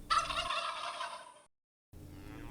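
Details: A turkey gobbling: one loud rapid rattling gobble lasting about a second and a half, fading out, followed by silence and then faint background sound.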